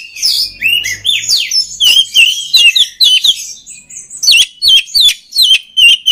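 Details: Oriental magpie-robin song used to train and stimulate other magpie-robins: loud, fast varied whistles and sharp chirps, rising and falling notes in quick bursts, with short pauses between phrases.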